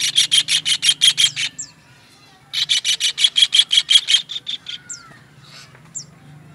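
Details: Master training recording of a kingfisher: two long runs of quick, piercing, evenly spaced notes separated by a pause, followed by scattered thin down-slurred whistles.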